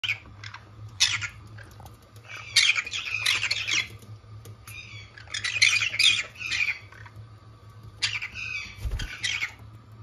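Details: Two pet green-cheeked conures squawking indoors: harsh, noisy bursts in irregular clusters, some rapid and chattering, over a steady low hum.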